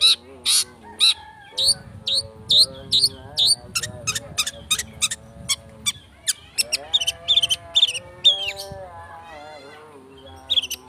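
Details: Long-tailed shrike in fast, dense speed rapet style, used as a lure to provoke singing: rapid sharp high chips and hooked whistles mixed with lower harmonic warbling phrases, bursts roughly twice per second.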